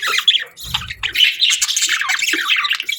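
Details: Lively budgerigar chatter at morning: rapid squawks and bright chirps crowd together, with a short low flutter early on.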